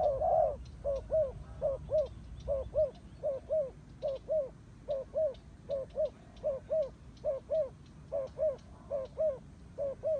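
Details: Turtle dove cooing: soft, low, hollow notes in quick pairs, repeated steadily about every 0.8 seconds across the whole stretch, with faint clicks above.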